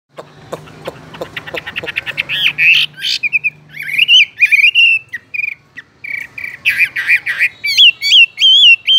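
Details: Caged Chinese hwamei singing: a fast run of sharp ticking notes speeds up into loud, rich whistled phrases that slide and warble, with short pauses between bursts.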